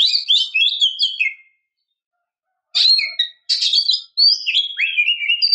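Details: Female Oriental magpie-robin calling to stimulate a male into song and breeding condition: bursts of rich, high, chattering and whistled phrases, pausing about a second and a half before resuming with rapid varied notes.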